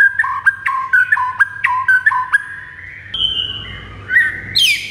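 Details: White-rumped shama (murai) used as master song: clipped whistles alternating between two pitches with sharp ticking accents, then a long level high whistle and a final rising buzzy flourish.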